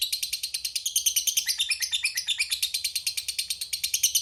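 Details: Lovebird of the fighter type giving a long ngekek, played as a lure to provoke rival birds into answering: a steady, high, harsh chattering stream of chirps, about three notes per second, continuing without a break.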